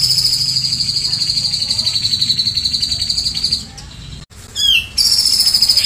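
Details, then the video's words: Grey-cheeked bulbul used as a master songbird, 'tembakan cililin' style: a long, steady, high rattling trill fades out, followed by a short rising whistle and a fresh burst of the same rapid buzzy trill. "BURUNG CUCAK JENGGOT GACOR‼️Burung masteran tembakan cililin"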